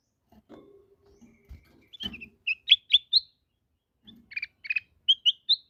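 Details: After low clattering and rustling, a black-headed bulbul launches into a lively series of loud, clear whistled notes, some rising, some dropping, grouped in short bursts.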